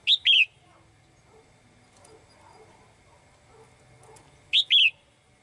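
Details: Caged female bird calling for a male with crisp two-note chirps, one phrase at the start and another about four seconds later, faint low murmur between.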